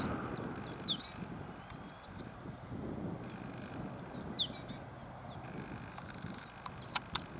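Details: A yellow great tit on a branch calls in two short bursts of high, twisting notes a few seconds apart, over a steady low rumble of wind.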